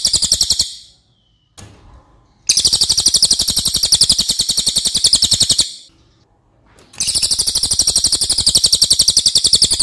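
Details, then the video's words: Cililin, a loud crow relative, as a training recording for other birds: harsh high rapid-fire trills of three-second length, repeated after gaps of about a second and a half, with quiet background. "MASTERAN CILILIN OKE BANGET"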